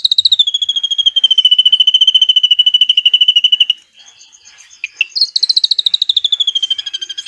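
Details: Drongo song of long cililin-style trills, used to train white-rumped shamas. A fast high rattle starts slightly higher, levels off for nearly four seconds, pauses briefly with soft notes, then resumes with a rising, falling trill.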